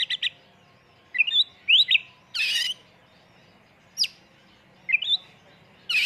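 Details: Oriental magpie-robin lure song, full 'isian' in 'tembakan' style: scattered short rising whistles and harsh raspy bursts separated by gaps of about a second, over faint background hum.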